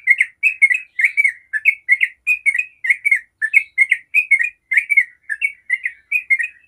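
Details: Long 'ropel' song of a Yellow-vented bulbul, played to provoke other bulbuls into singing: continuous chattering chirps in couplets, bright and slightly buzzy, running unbroken for the whole stretch.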